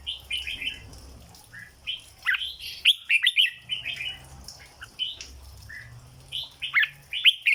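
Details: Cage-kept red-whiskered bulbul singing 'dok' style: lively, repeated clusters of clear, rolling whistled notes, some sharp and emphatic, steadily delivered throughout with short breaks.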